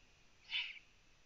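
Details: Eurasian eagle-owl on a Latvian live nest camera, night of 9 June 2017 at 03:27, as prey arrives: one short, breathy, hissing rasp lasting about a third of a second.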